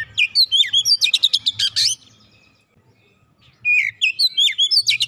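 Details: Kacer song to make a quiet Oriental magpie-robin start singing: a dense two-second burst of fast sharp chips and whistles, a near-silent pause, then another rapid whistled and chipping phrase.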